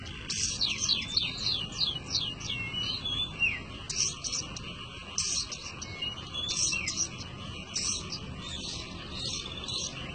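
A Long-tailed Shrike sings a fast, scratchy run of high chirps and short whistled phrases in bursts every second or two, over a steady low hum.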